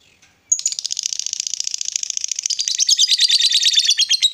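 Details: Female fighter lovebird giving a long ngekek chatter, used to provoke rival lovebirds: after a brief silence a rapid, unbroken stream of harsh high notes, roughly a dozen a second, runs for about four seconds and grows louder toward the end.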